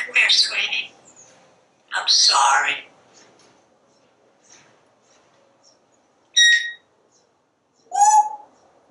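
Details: A pet parrot on a screened back porch talking while watching squirrels and birds outside: two gravelly spoken-sounding phrases open, then a pause, a brief pure whistled note and a squeaky rising whistle.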